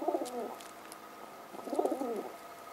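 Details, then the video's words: Mother pigeon beside her chicks, keeping them in line and chatting: two low, throaty cooing phrases, each about half a second, separated by a pause of just over a second, over faint tapping and clicking. "Äitikyyhky pitää jöötä poikasille ja juttelee"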